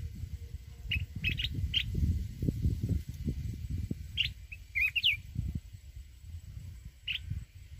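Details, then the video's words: Mountain red-whiskered bulbul giving wild-style song meant to stimulate other birds: scattered bursts of short, bright, high chirps, a quick tumbling run of rising notes in the middle, and a final sharp note, over constant low rumbling noise. "chào mào núi@ hót giọng rừng kích bổi"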